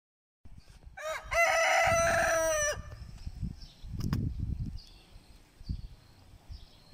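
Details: Muscular Lohmann Brown rooster crowing once, a loud harmonic call lasting about a second and a half, its opening note rising and then held steady before breaking off, followed by faint clucks and low rustling.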